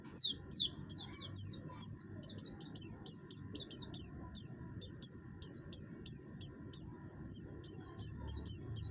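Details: Buxtoni oriental white-eye in full song with a harsh voice suited to triggering song in other birds: an even string of sharp, high, downslurred notes repeated roughly twice a second, low hum beneath.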